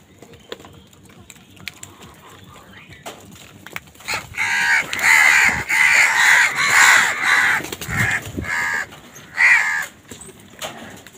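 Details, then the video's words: A crow squabbling with other wild birds for food breaks into loud, raspy cawing after a quiet start, with rapid overlapping calls for about six seconds and one last caw afterward. "Crows fight with wild birds for food | Crow bird unity anger and sound"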